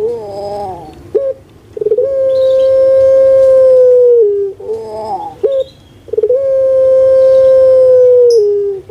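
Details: Domestic puter pelung dove used as a calling lure: a wavering falling phrase opens each sequence, followed by a long steady hollow coo held over two seconds; the pattern repeats twice.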